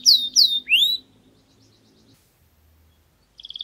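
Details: Canary tutor song for teaching chicks: three loud sweeping whistled notes, a quiet gap with faint low hum, then a short rapid trill starting at the end.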